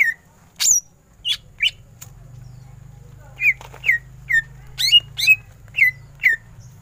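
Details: Greater green leafbird, ngentrok style, giving spaced sharp downslurred whistles roughly every half second over a steady low hum.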